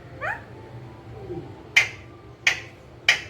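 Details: Green ringneck parakeet, a pet: a rising voiced note and a soft falling one, then three sharp, harsh squawks at roughly half-second gaps, against a steady low hum.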